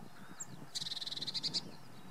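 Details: Eurasian blue tit at Oksywie gives a quick, high trill of about a dozen clipped notes in under a second, after a single thin, very high note, over a faint low background rumble.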